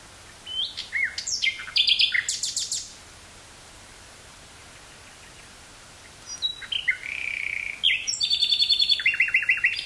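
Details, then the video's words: Common nightingale in woodland near Burgh-Haamstede, Netherlands, 18 May 1983, cassette recording; two varied song phrases of whistles and rapid trills separated by a three-second pause. "Nightingale singing near Burgh-Haamstede, NL"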